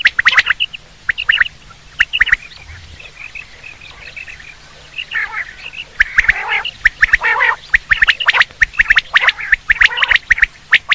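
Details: Batair, or quail, calling for hunting: sharp clicking notes and harsh rasping bursts, with a quieter gap midway and then a busier, denser stretch of rapid notes toward the end.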